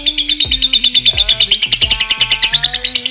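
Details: Lovebird, male or female, singing a tune said to show promise of becoming konslet, a long continuous song: dense rapid high chattering twitters pulsing about three times a second, steady throughout, over background music with a thumping beat.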